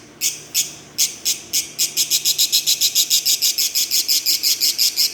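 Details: Green Fischer's lovebirds singing and chirping: a few spaced shrill notes that speed up into a rapid, even chatter of high chirps, about four per second.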